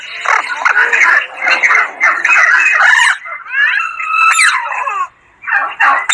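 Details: Alexandrine parakeet (pahadi parrot) talking: dense, speech-like babble in continuous bursts, a few clear whistled slurs in the middle, then a short pause before more chatter.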